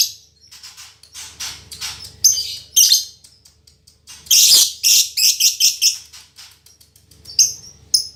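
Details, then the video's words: Captive female lovebird, fighter type, with a strong male-like song: continuous high, grating twitter broken into uneven bursts, loudest in a rapid pulsed stretch near the middle. "Suara Burung Lovebird Betina Fighter"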